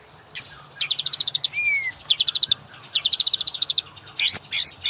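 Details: White-rumped shama master song for training caged birds and prompting them to sing; varied high phrases of rapid buzzy trills, a short rising-falling whistle and sharp sweeping notes, separated by brief pauses.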